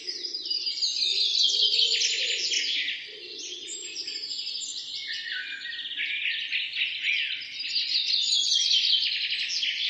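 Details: Birds singing in the morning, a busy tangle of high bright chirps and rapid trilled phrases, several voices overlapping continuously, with a faint low murmur in the first half.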